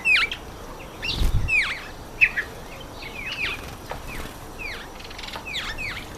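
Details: Red-faced mousebirds at a birdbath, with repeated clear downward-sliding whistles overlapping in quick succession, a brief low thump, and faint soft chirps from other birds.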